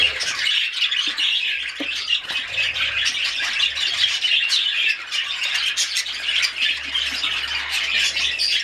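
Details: Breeding budgerigars in an aviary, where the male feeds the female and near-fledging chicks peek from the nest, chatter in a constant stream of scratchy squawks, chirps and warbling notes.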